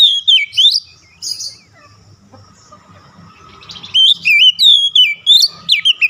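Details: Oriental magpie-robin (kacer) singing, used to bring a stressed bird back into full song: bright, rapidly swooping whistled notes open the clip, then after a quiet, murmuring stretch a fast string of loud looping whistles follows.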